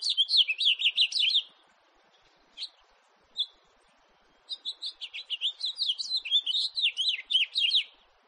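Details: House finch song opens with a quick twittering phrase, a few spaced chirps follow, then a longer, louder rambling warble of high slurred notes.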